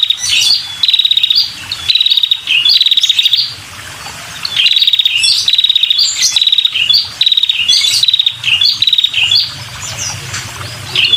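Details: A female red-headed prinia gives strong calls to attract males, a long series of loud, rattling high trills in clusters, with a quiet pause midway. Occasional sharper squeaky notes are mixed in.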